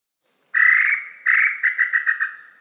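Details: Tataupa Tinamou song: one long, slightly falling tone, then a second long note that breaks into a quickening run of short notes dropping gently in pitch.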